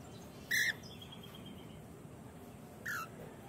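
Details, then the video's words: Cockatoo from a breeding pair at the nest in an aviary, giving two short harsh screeches, the second falling in pitch, separated by a few seconds of steady background hum. "nidada de cacatuas pareja reproductora"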